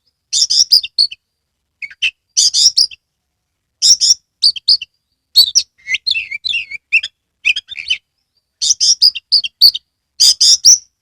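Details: An Oriental magpie-robin in full song with tail spread, used to prompt other magpie-robins to sing: loud, varied phrases of sweet whistles and scratchy, chattering notes in quick bursts every second or two.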